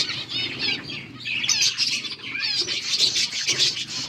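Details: Several finches eating green food on 17 August 2024 chatter together in quick, high, overlapping chirps and twitters, with some soft wing flutters mixed in.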